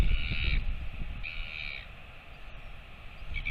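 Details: A royal albatross chick at its nest in New Zealand gives harsh, nasal, cawing calls, two long ones about a second apart and a third starting at the end, over a heavy rumble of wind.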